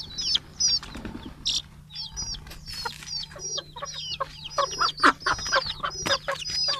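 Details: Chickens of mixed sizes let out of their coop and given food one morning on 6 October 2018 in Betbari, Fulbaria, Mymensingh; shrill sliding peeps overlap with scattered lower clucks and soft knocking sounds.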